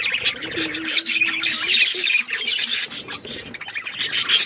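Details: Several pet budgerigars playing with each other, chirping in a dense, busy chatter of squeaky warbles and short tweets that overlap without pause, with a faint steady low hum in the background.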